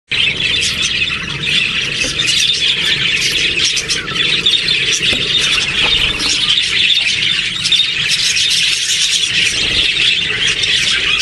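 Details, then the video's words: Parakeet hatchlings beg in a steady, overlapping chorus of shrill, raspy squeals and chirps that continues without pause. "Parakeet hatchlings"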